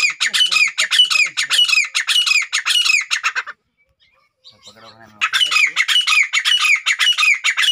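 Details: A male grey francolin calling to show his power to a female: loud, harsh, high squawking notes repeat rapidly in long runs, break off briefly with a faint voice, then resume.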